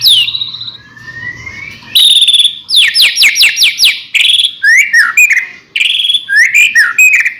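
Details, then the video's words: Murai batu, the white-rumped shama, singing to stimulate other shamas: a slow rising whistle, a rapid series of sharp descending slurs, then varied loud whistled phrases and chattering notes. "murai batu gacor AMPUH buat PANCINGAN murai batu agar bunyi"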